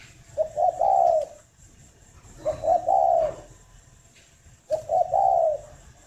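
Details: Three deep coo phrases from a farm-bred spotted dove in Ba Vì district, Hanoi, Vietnam, one roughly every two seconds, each made of clipped introductory notes and a sustained mellow coo, recorded in the morning.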